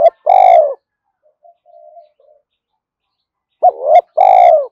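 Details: Spotted dove giving loud, throaty coos at the start and end, with soft, faint murmured notes in the quiet gap between them.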